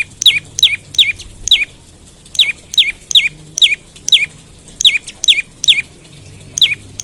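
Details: Olive-backed tailorbird, morning lure call used to make other tailorbirds start singing: sharp high notes, each dropping in pitch and often paired, repeated about every half second with short gaps, over a quiet background.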